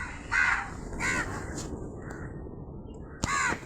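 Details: Two raspy crow caws in quick succession, a pause with faint background noise, then a third sharp caw near the end.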